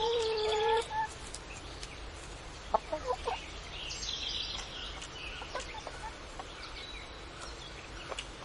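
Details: Chickens on a farm, noisy: a drawn-out squawk with stacked harmonics opens, then scattered short clucks and chirps over a steady rural background hiss, with small birds twittering higher up.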